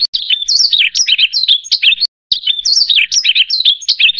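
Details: A Yellow-throated Bunting (Emberiza elegans) sings a fast, high, continuous run of sweet chirps and trills, with one brief pause midway.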